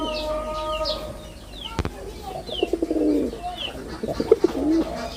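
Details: Male red-bordered wild pigeon performing; rough, pulsing low coos arrive in the second half after a sharp knock, with chirping small birds throughout and a steady hum early on.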